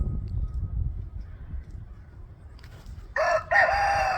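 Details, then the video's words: Rooster crowing in a crowing competition between roosters alternating their calls, after a long stretch of low background rumble; a single loud harmonic crow starts near the end, briefly interrupted then held steady. "If you love the sounds of roosters crowing."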